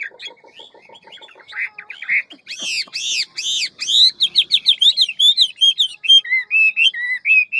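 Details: Hwamei, a bird described as big and handsome, singing in the fast, many-voiced forest style its keepers call ngũ trường; low buzzy pulses open into loud swooping whistled phrases that repeat quickly, each varied and rich.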